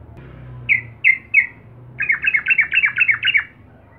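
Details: Sooty-headed bulbul in lively song intended to anger rivals: three separate clear chirps, then a quick rolling run of about ten bubbly, slurred notes before falling silent.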